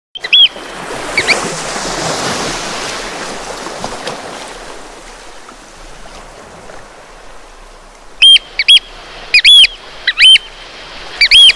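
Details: Eurasian oystercatcher calling on the Breton coast of France: a few loud, sharp piping notes at the start, then quiet surf for several seconds before a burst of shrill repeated piping near the end.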